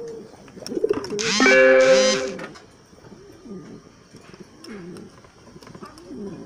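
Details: Bronze-coloured Modena domestic pigeons, farm-kept, give soft, low, rolling coos, repeated every second or so, broken early on by a loud, harsh, tonal burst lasting about a second.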